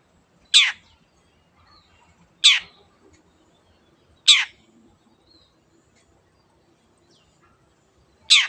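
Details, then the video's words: Long-tailed Shrike (cendet), said to provoke silent birds into singing, giving single loud rasping notes spaced about two seconds apart, with quiet background between. "CENDET GACOR MENJADIKAN YANG DIAM IKUT GACOR the sound of shrike birds"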